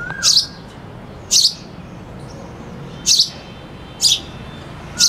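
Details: Chirping sparrow with a cuckoo singing behind it: five short, piercing high chirps at uneven intervals over a steady hiss, with a faint whistle at the start and end.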